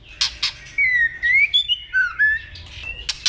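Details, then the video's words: White-rumped shama song in a training recording of the 'kéo thuốc lào' style. Sliding whistled notes rise and fall, broken by sharp clicking snaps, with faint low background hum. "chòe lửa hót hay ❣ kéo thuốc lào ❣ hót giọng dây"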